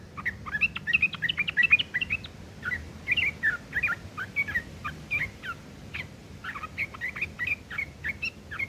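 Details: Harsh chattering from a sooty-headed bulbul, used to teach long-tailed shrikes, runs steadily for over eight seconds as scratchy, slurred notes, dense at first and then loosely spaced, with faint hum beneath.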